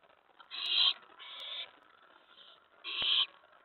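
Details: Owl at the nest at night on May 15, 2017, during food delivery: two strong hissing screeches and a softer one between, with a sharp knock near the end.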